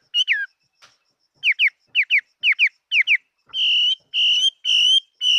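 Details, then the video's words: Song of a fighting-type Chinese hwamei: paired downslurred whistles repeated five times at a steady pace, then a switch to sustained, level, ringing notes, each held nearly half a second. "Hoa mi hot giọng"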